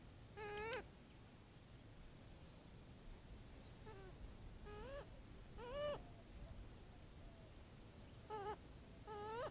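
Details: Adolescent Cooper's hawk drinking at a watering hole in early morning, chirping after noticing something in the sky as its mother swoops in; the young bird also croaks. Short rising, harmonic-rich chirps come in small bunches, about eight over nine seconds, against quiet surroundings.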